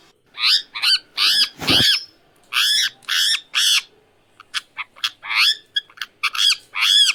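An Indian ringneck parrot talks in quick bursts of high, nasal, speech-like syllables, about a dozen in seven seconds with short pauses between phrases.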